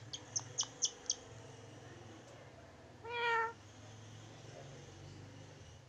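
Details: Tame pet Indian ringneck parakeet mimicking a cat's meow ("Miaoon"). A few sharp clicks come first, then one drawn-out, rich-toned meow about half a second long, over a steady low hum.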